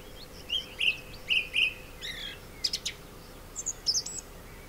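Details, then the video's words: A male song thrush (Turdus philomelos) sings from orange groves at Sueca, Ribera Baixa, Valencia, Spain, where it now breeds. It gives clear, fluty phrases, each repeated two or three times, then thin, high, scratchy notes. "ZORZAL COMÚN"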